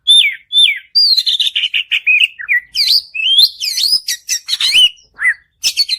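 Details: Continuous white-rumped shama song for coaxing another bird to sing, a fast stream of varied whistles, trills, chips and buzzy notes with few gaps.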